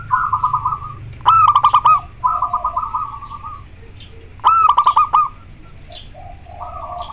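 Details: Zebra dove of a local strain, in strong breeding condition: rolling bubbling coos alternate with two loud bursts of rapid staccato notes, with quieter trill phrases trailing off at the end.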